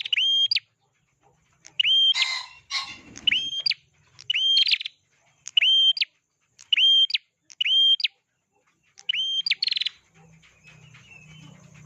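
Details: Prinia (prenjak) perched up high, singing lively in the gacor style: loud, sharp, clipped chirps given in short bursts about once a second, each note piercing and upswept, with a brief rustle near the third second.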